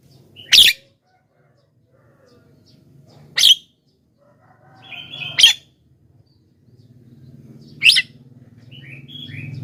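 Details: Javan myna calls used as a lure for wild mynas: four harsh, grating bursts spaced two to three seconds apart, with faint chattering and a rising low hum in the background.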